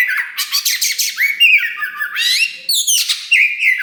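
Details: Oriental magpie-robin of the black kacer wulung type, a loud singer that had just begun pushing its tail, delivering fast whistles, rising slurred notes and rattling buzzy bursts, with short pauses.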